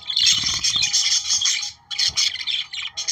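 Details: Singing budgerigars, kept to prompt breeding, pour out a harsh, scratchy chatter for nearly two seconds, a brief pause, then more clipped squeaky phrases; low thumps beneath.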